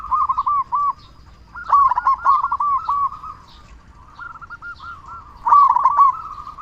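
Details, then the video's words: Local zebra dove used to prompt lazy or quiet doves to sing: clipped, bubbling coo phrases repeated in bursts, louder ones alternating with softer, more distant-sounding runs. "Perkutut Lokal Gacor Suara Besar Pancingan Burung Perkutut Agar Cepat Bunyi"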